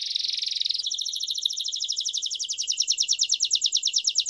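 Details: Timbrado canary song for teaching young birds, a fast dense trill leading into a longer rhythmic pulsed trill with a rolling, bubbling quality, nothing else audible.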